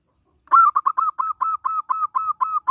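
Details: A local zebra dove in persistent song, used as a lure to set other zebra doves singing: a fast, even train of around eleven short, soft, hollow coos, each note nearly alike, over a quiet background.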